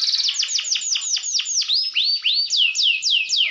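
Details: Canary song used as a lure to rouse rival canaries: a rapid series of high, clear descending sweeps, then rising whistled notes, about four per second, with no other sounds.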